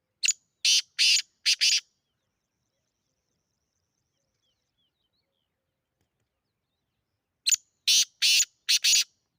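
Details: Partridge (teetar) kept by a partridge fancier in Sindh, calling in harsh, rasping bursts. Four quick notes open the clip, silence follows for about five seconds, then another run of four loud grating notes.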